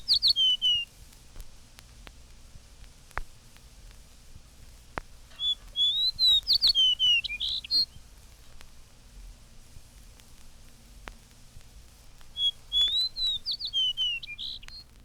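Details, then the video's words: In spring, a late Fox Sparrow that should already be on its Canadian nesting grounds sings two rich, ringing phrases of slurred whistles, rising then tumbling down, about six seconds apart; faint hiss of a 1954 recording. "But now, for our special benefit, a late fox sparrow breaks forth with its ringing whistle, apparently asking an embarrassing question."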